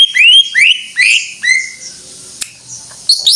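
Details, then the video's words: Greater green leafbird singing strongly: four loud whistles, each sweeping upward then dropping, spaced about half a second apart. A short quiet gap with a single click follows, then high quick notes return. "Suara Burung Cucak IJO FULL Gacor"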